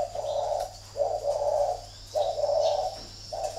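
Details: Thổ-type spotted dove in a cage at a Ba Vì bird farm near Hanoi, Vietnam, calling during a fight; low gravelly coos in paired phrases, a short note then a longer one, about once a second, faint chirps behind.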